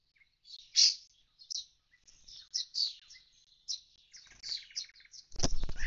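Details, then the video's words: Common starling at an empty nestbox whose young have already flown: loud high chirps and warbled phrases in an uneven series, a faint thin whistle in the middle, then a loud broadband rustle or knock at the end. "Скворец - скучает у пустого скворечника. Улетели дети."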